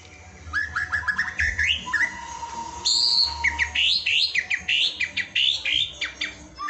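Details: Energetic white-rumped shama song, a short, high-quality recording for teaching other shamas to sing: quick rising whistled phrases give way to a rich, rapid run of sweeping, fluty notes with no other clear sounds.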